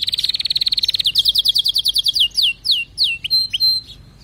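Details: Canary in full song: a rapid pulsing trill of evenly repeated notes runs for about a second, then switches to slower falling whistles and a few clear level tones.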